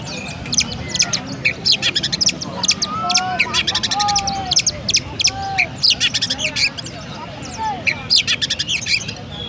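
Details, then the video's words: Caged Oriental magpie-robin in Pemalang, Central Java, Indonesia, performing 'rasa gereja' sparrow-style singing: rapid rattling chirp series repeated in bursts, interspersed with clear downslurred whistles, lively and sustained throughout. "Burung Kacer Rasa Gereja Mantap!!"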